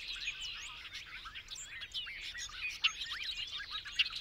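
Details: Bobolink song: a dense, tumbling cascade of bubbling, twangy notes and quick slurred whistles, steady in loudness throughout, with faint background hiss.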